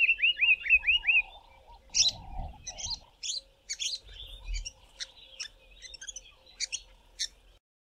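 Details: African paradise flycatcher (Terpsiphone viridis): a quick run of five rising whistled notes, then harsh, rasping scolding calls about twice a second, the female scolding a predator, possibly a spotted eagle-owl one evening; faint low rumbles between.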